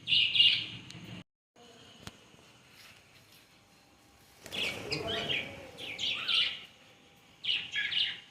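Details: Parakeets in natural surroundings give harsh, screechy chattering calls in overlapping bursts, loud at the start, then a quiet gap before more grating, squabbling outbursts near the middle and end.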